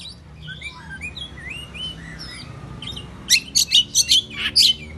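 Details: Agitated Oriental magpie-robin singing in the morning to provoke rivals into song. Soft, scattered whistled slurs give way to a loud burst of five or six harsh, clipped notes near the end.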